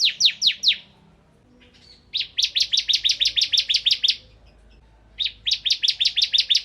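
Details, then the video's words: Energetic song of a bar-winged prinia in 'nembak ngebren' style: quick series of high, piercing down-slurred notes in three bursts, each run of eight to ten notes separated by brief silences. "Suara Burung Ciblek Kristal Gacor"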